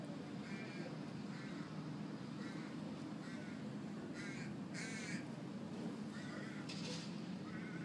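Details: A wild backyard noisy miner being hand fed gives short, harsh, wavering chattering calls, repeated roughly every second, over a steady low rumble of background noise.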